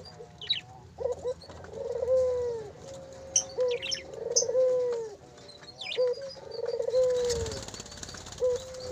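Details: Two breeding pairs of parakeets at a bird farm chatter in warbling, tonal phrases with quick high chirps mixed in, several birds overlapping in a steady run of calls.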